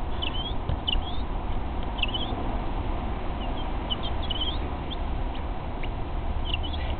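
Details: Three Mexican speckled quail chicks, hatched the same day, kept warm under a shop light and fed game-bird starter, give thin, high peeps, scattered and overlapping, over a steady low rumble of background noise.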